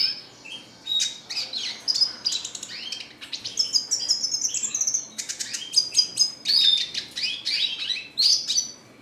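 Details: Red siskin singing a dense, rapid twittering song of high sweet notes, trills and quick upward slurs, flowing almost without a break across the whole stretch.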